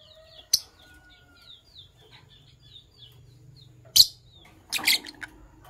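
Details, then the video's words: Fischer's lovebirds, a green pair, chirp in the morning: three loud, harsh, high bursts spaced a few seconds apart, the last a rapid squeaky cluster, with faint thin tweets running softly underneath. "Green Lovebird Couple Singing & Chirping Voices - Green Fischer Couple"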